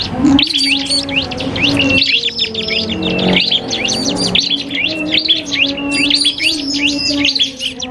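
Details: Crystal cipoh (common iora) against a prinia in a song duel used to tutor caged birds: eight seconds of busy, high, sharply repeated chirps and whistles, with continuous low steady tones underneath.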